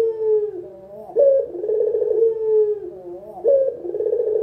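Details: Spotted dove of a local strain calling as a beginner's training lure, with low rolling coos that dip, jump up sharply and then waver downward, two phrases close together.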